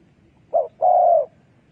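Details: Spotted dove decoy call used for trapping doves; a short low coo followed by a longer, steady, drawn-out coo, clear against a quiet background.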